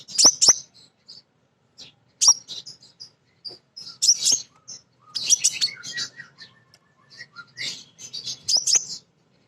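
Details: Female crimson sunbird, played to coax birds into singing: loud bursts of very high sharp chips and twitters in clusters separated by brief silences, with a few softer lower notes mid-way.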